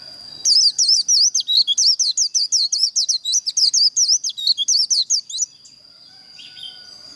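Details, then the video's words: Lengthy 'líu' contest song from a white-eye, the type played to provoke and train birds for singing contests: five seconds of dense, rapid, high wavering notes, then quiet with a thin steady tone. "Vành khuyên líu đấu"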